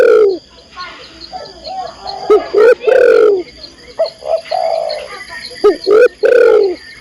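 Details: Calling female spotted dove seeking a male: loud coos in pairs and triplets, some long and falling, separated by quieter cooing notes and brief pauses.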